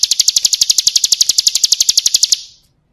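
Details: Bar-winged prinia (ciblek kristal) training song: a single sustained series of bright, high, evenly spaced ticks, roughly ten each second for over two seconds, fading at the end into silence.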